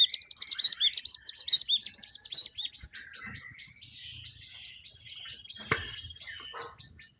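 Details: Java sparrow in the wild, giving loud, looping, bell-like warbled notes in quick groups, then a long even run of soft, clipped ticking notes, with a single sharp click midway.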